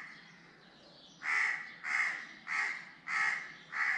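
A crow gives five harsh, hoarse caws in quick succession, one roughly every 0.6 seconds, after a quiet start with faint background hiss.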